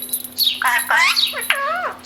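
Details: Pet Indian ringneck parakeet, a talking parrot, giving harsh, rising and falling squawks with strong harmonic bands in quick bursts, close to the microphone, with a steady electrical hum underneath.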